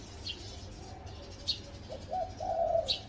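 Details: Spotted dove perched on a home tree, heard near the end as a stutter of short low notes rising into one drawn coo. Several sharp high chirps from other birds occur earlier.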